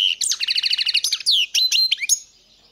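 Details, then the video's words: European goldfinch singing a short fast phrase: a buzzy run of repeated doubled notes followed by sharp tinkling chirps and a few drawn-out whistled tones. "Pesma štiglića"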